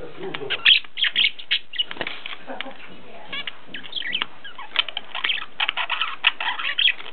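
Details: Several pet zebra finches kept in a home in Ulaanbaatar, Mongolia, chatter in a dense stream of short nasal chirps and beeps that overlap almost continuously, with a soft hum underneath.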